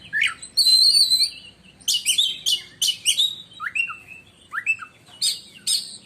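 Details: Oriental magpie-robin, a competition bird, singing loud shrill piercing phrases likened to a lightning strike: a sustained whistled note, then a string of sharp high bursts and short rising whistles, with brief pauses between phrases.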